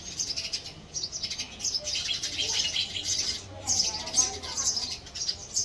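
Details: House sparrows squabbling over a nest being built in a house; continuous busy high twittering and chirping in bursts, with a brief pause midway.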